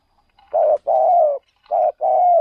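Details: Spotted dove used as a decoy for luring wild birds in another province, giving four steady, low, hoarse coos in two pairs, the second of each pair longer and slightly falling.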